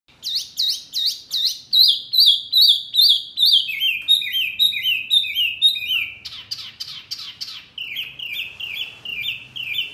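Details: Mini wambi bird, very noisy, its calls said to provoke other birds: rapid series of sharp, high chirps, each a quick downward-sweeping note, repeated about two or three times a second in shifting phrases.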